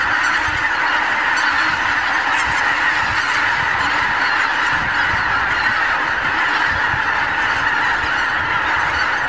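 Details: Masses of wild geese meeting on morning fields and meadows of the Lower Rhine region, filmed on a Canon HV20 camcorder; unbroken loud honking from a vast flock, with scattered sharper calls rising above the blend.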